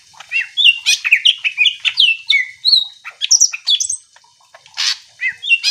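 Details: Greater green leafbird pouring out continuous song meant to trigger other leafbirds to answer: rapid varied whistled phrases, slurs and chatters with hardly a break, plus a harsh burst near the end.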